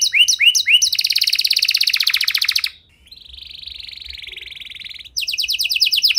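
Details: Canary song used as a lure to get silent canaries singing: swooping whistles, a dense trill, a softer level buzzing roll in the middle, then quick repeated chirped notes.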